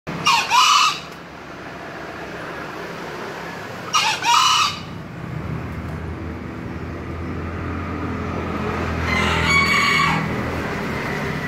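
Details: Green junglefowl crowing: three short, harsh, two-part crows under a second each, the first two close together and loud, the third fainter near the end, over a steady low rumble.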